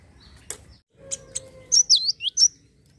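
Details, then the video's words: Java sparrow song: a few sharp clicks and a faint low tone, then four high, twisting, downslurred notes in a short burst. "gelatik gacor sangat cocok pancing emosi burung anda"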